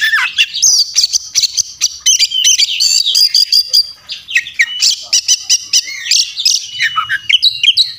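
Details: Ngobra ngotot fighting song from an Oriental magpie-robin, rich in isian phrases: a nonstop stream of varied chirps, trills and brief whistles, briefly dipping before another rapid, dense burst.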